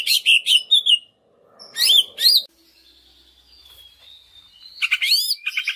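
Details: Lure song of a greater green leafbird for stimulating other leafbirds: quick bursts of high, ringing, sweeping notes, a long thin steady whistle, then a final rapid cluster of bright chirps.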